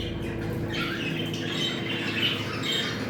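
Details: Softer budgerigar chatter in a mating-call recording: gentle warbles and a short squeak near 2.2 seconds, backed by a noticeable low hum.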